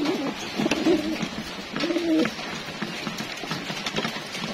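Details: Homing pigeons kept for racing, cooing during their feeding routine: two or three low, rolling coo phrases early on, then quieter shuffling and pecking noises.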